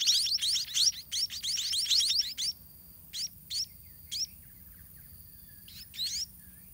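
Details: White-rumped munia chicks in a garden nest, being fed by their parents: a rapid run of thin, high, rising chirps for about two seconds, then single chirps spaced out every second or so.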